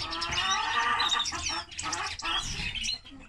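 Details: A linnet × canary hybrid sings a fast, continuous warble of bright twitters, trills and buzzy notes, mostly high-pitched, with brief pauses between phrases.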